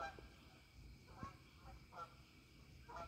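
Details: Evening takeoff of a Canada goose flock from a pond; distinct nasal honks arrive about every second in short bursts, over low background rumble.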